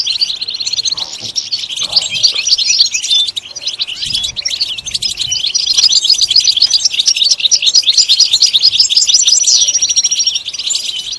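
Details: European goldfinch singing a fast, unbroken twittering song of high chirps, buzzy notes and short trills, with a few drawn-out whistled tones, steady throughout.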